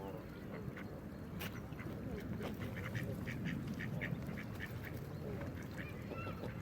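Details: Wild duck quacking in rapid, short, rough bursts, roughly two per second, over a steady low rumble in the background.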